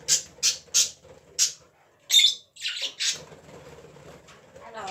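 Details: Pet parrot coughing indoors in a small room: a run of short, harsh, breathy bursts about every third of a second, then a few louder rasping notes, with faint low background hum.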